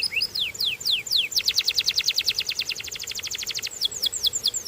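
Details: A Belgian canary opens with a few slow high downslurred whistles, then speeds into a rapid, even trill of sharp notes before returning to slower sweeping whistles.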